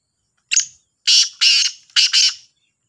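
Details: Black francolin calling in a two-bird competition, described as the Sahiwal type: a short rasp followed by four loud, harsh, buzzy notes in two close pairs, with a clean background.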